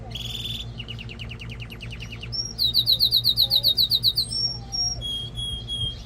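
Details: Male canary song for stimulating mating and training young birds: a buzzy note, a fast even trill, then a loud rolling trill of about a dozen pulses, followed by clear whistled tones.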